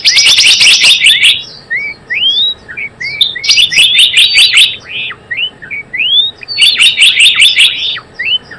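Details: Java sparrow calls used as a trapping lure: three bursts of rapid, high chattering chirps, each followed by scattered short upslurred whistled notes in the pauses.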